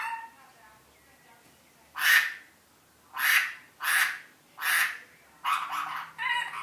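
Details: Rainbow lorikeet that has learned iPhone ringtones gives five loud, harsh, broadband bursts about a second apart after soft chatter, the last breaking into rapid stuttering notes.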